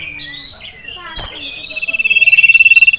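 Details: Male sirtu in a cage, agitated at a rival and a female: soft varied twitters build into a fast, steadily pulsed trill that grows louder.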